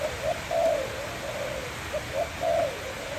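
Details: Brief sweet song from a kept Malay dove: quick rolling coos, two louder trilled bursts separated by softer lower notes, with a steady background hiss.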